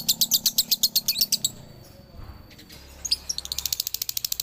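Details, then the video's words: Male lovebird from Ciamis giving dobelan: fast high chirps for over a second, a quiet gap, then another accelerating burst of sharp, ticking chirps. "SUARA ASLI DOBELAN LOVEBIRD JANTAN"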